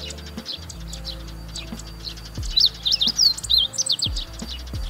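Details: A Meadow Bunting sings a quick run of high, sweet, wavering notes on a birding walk in Kita-Harima, Hyogo, Japan. A man talks low. A fainter, higher "hi-hi-hi" call behind may be a Zitting Cisticola, which he was searching for.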